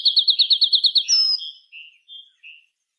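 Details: Chirping birds at dusk in the afternoon: a rapid series of about eight bright chirps, then a falling whistle and three soft separate notes.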